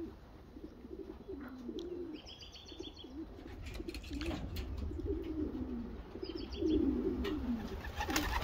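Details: Several racing homer pigeons coo in low, wavering, bubbling phrases that overlap and build toward the end, with short bursts of thin high chirps and a steady background hum.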